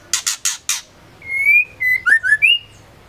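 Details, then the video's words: White-rumped shama female, the murai batu betina, whose voice is used to trigger male singing: four loud harsh chack notes, then a pause and five sweet whistled notes with slurred rises and drops. "Murai batu betina gacor ampuh untuk pancingan murai trotol & dewasa"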